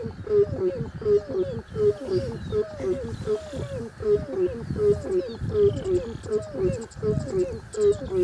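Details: Crowned crane calling in a steady series of mid-pitched, honking notes with harmonics, about one every 0.7 seconds, over a continuous murmur with faint high chirps from other birds.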